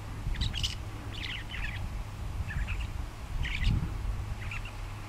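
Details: A northern shrike perched on wires beside railway tracks at Port Coldwell, on Lake Superior's north shore, Ontario, on October 12, 2011, sings a loose series of short, scratchy chirps and squeaky notes in irregular bursts, over low wind-like rumble.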